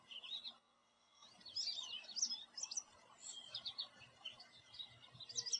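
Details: An American Goldfinch perched in a backyard tree sings a rapid, jumbled run of high twittering and sweet warbled notes, with short pauses between phrases; faint background hiss.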